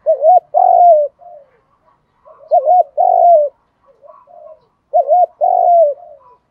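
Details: Male and female spotted doves cooing, a recording used to provoke decoy birds into calling. Three loud phrases about every two and a half seconds, each a short two-note lilt then a drawn-out downslurred coo, with quiet murmurs between.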